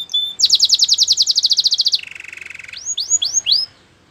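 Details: White canary delivering a training song of a very fast pulsed trill, then a lower softer buzz, ending in four rising, swooping whistles.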